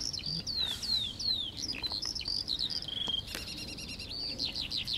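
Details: Eurasian skylark in song over fields in the Las Kabacki Nature Reserve, Poland, on 20 April 2021: high descending whistles, then a buzzy rattling trill and quick chirps, delivered continuously with little low noise.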